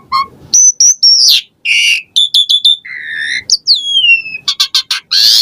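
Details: Asian pied starling in varied, constant song meant to prompt caged birds: a short low note, high slurred whistles, a harsh burst, quick repeated chips, a flat mid-pitched whistle and falling whistles ending in rapid rattles.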